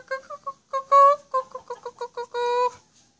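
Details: Black-collared starling singing a run of short nasal, harmonic notes, some quick and clipped, others drawn out and level, with brief gaps, ending in a longer held note.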